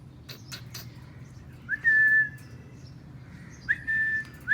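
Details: Green Indian parrots, Alexandrine and ringneck, kept as pets, eating outdoors under the sky: two clear whistled notes, each hooking upward then held level, about two seconds apart, over a low steady hum.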